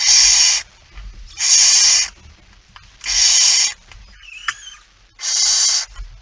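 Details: Barn owl at night on 17 September 2019 at 23:55, as a male arrives carrying a mouse: four harsh, broadband hissing screeches, each about two-thirds of a second, spaced roughly every one and a half seconds, with faint low rumble between.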